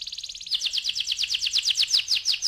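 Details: Canary singing a rolling ngeroll-style song used as a lure to get other canaries singing: a high, very fast trill that breaks into a run of loud, buzzy, evenly repeated notes, about seven per second.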